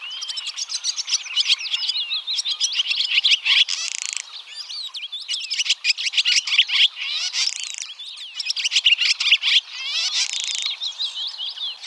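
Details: Barn swallow (Hirundo rustica) song: a lively, run-on chatter of bright twittering notes and slurred squeaks, with several harsh grating rattles spaced through the phrase.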